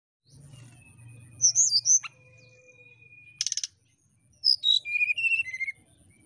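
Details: Brown-chested jungle flycatcher singing a flute-like song meant to provoke a rival: high twittering notes, a long steady thin tone, a harsh buzzy burst, then a descending series of clear whistles.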